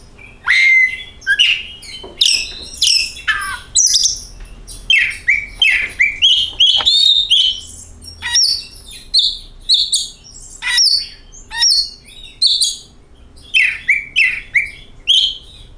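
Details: Lure song of an oriental magpie-robin: a long, rich, varied run of whistles, trills and chirps in quick clusters, high and clear, with brief pauses between groups.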